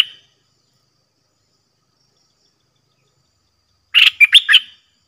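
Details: Caged Red-whiskered bulbul competing with wild birds, singing without pause after a long time away from the forest; a brief note at the start, then one rapid phrase of four loud whistled, warbling notes.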